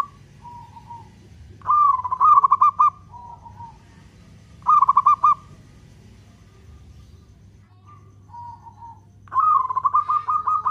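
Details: Local zebra dove singing long-beat song as a lure for other doves: three loud, fast-pulsed coo phrases spaced several seconds apart, with quieter, level coos from another dove in the gaps and a low hum.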